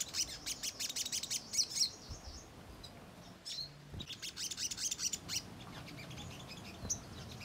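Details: Ruby-cheeked sunbird lure song meant to stir other birds into answering: bursts of fast, high, needle-thin chirps, broken by a short quiet gap, then another chattering burst and a lone squeak near the end.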